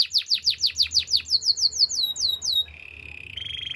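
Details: Canary song for training, with about a dozen loud downslurred whistled notes in steady rhythm that give way to a level rolling tone near the end, over a faint low hum.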